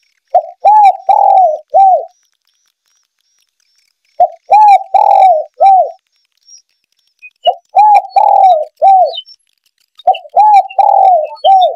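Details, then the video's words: Male spotted dove coos played as a hunting lure: four repeated phrases of husky, arched coos, each about two seconds long, separated by pauses of a second or two. "SUARA PIKAT TEKUKUR JANTAN"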